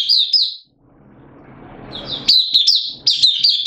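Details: Caged hobby oriental white-eye in open song on 8 September 2022, form dipped slightly; a high warbled phrase, a quiet lull, then a lively run of thin, rising and falling notes.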